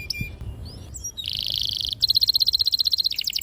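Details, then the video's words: Canary singing long and clear to stimulate young canaries: brief soft notes, then a buzzy trill followed by a fast, evenly pulsed rolling trill that drops slightly at the end. "PANCINGAN KENARI GACOR PANJANG || PANCINGAN KENARI PAUD BELAJAR BUNYI || MASTERAN KENARI PAUD"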